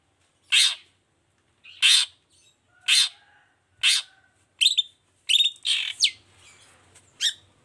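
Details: Long-tailed shrike singing toet toet to make lazy shrikes answer: loud harsh rasping notes spaced about a second apart, then a quicker cluster of scratchy calls and squeaks, over a quiet background.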